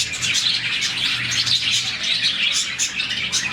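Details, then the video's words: Short stretch of a budgie colony, about 40 birds, chirping in the morning as a happy sound; dense, shrill, rapid tweeting from many birds at once without a break. "Lovebirds, budgies, parakeets morning chirping sound"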